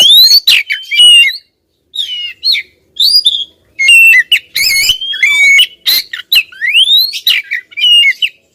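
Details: Female Oriental magpie-robin calling persistently at a male. Dense, continuous mix of sharp whistles, rasping squawks and upward-sweeping notes, with short gaps between bursts.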